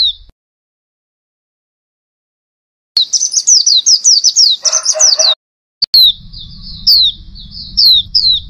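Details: A female Oriental white-eye gives high, thin twittering chirps in quick rapid bursts, with brief pauses and some low background rumble.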